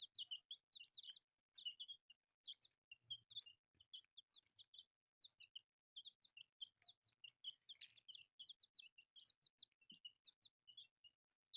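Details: Newly hatched colourful chicks give a steady stream of high, short peeps in closely spaced clusters all through, with scattered clicks and one brief scraping burst.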